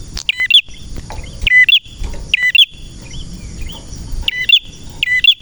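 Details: Prenjak merah male singing hard ('nembak'), five bursts of crisp high chirps, a longer pause midway, and a faint continuous high-pitched tone behind the phrases.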